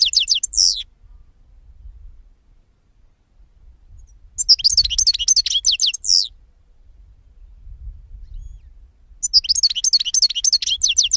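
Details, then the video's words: Three separate phrases of European goldfinch song, each a rapid high twittering run of ringing, slurred notes lasting one to two seconds, spaced by about three seconds of near silence with faint low hum. "Cante De Jilguero"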